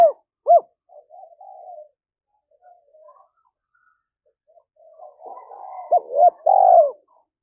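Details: Female spotted dove decoy calling to provoke males: two short arched coos at the start, faint murmuring, then a louder cluster of coos and a longer rolling note.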